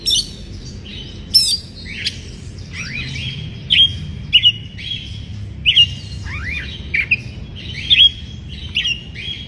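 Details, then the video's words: Breeding-condition white-rumped shama singing to stir up rivals: scattered high whistled phrases, some falling slurred notes and brief buzzy chips, spaced irregularly over a steady low rumble. "Pancingan Suara Kacer Bikin Emosi, Suara kacer Naik Birahi"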